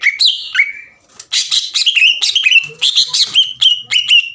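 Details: Caged green leafbird in full 'gacor' song, used to provoke rival birds into singing: a rapid run of sharp chips and whistled phrases, dense and loud after a brief pause near the start.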